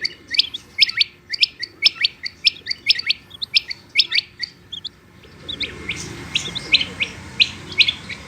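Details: Batair, a female Rain Quail, calls in a rapid regular series of sharp high double notes for about five seconds. Then hissing noise rises and the calls continue more faintly.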